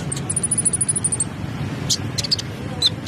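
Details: Konin, a kolibri ninja sunbird, in busy full song: a rapid run of thin, very high notes repeated quickly, then scattered sharp high chips, over a steady low rumble of background noise.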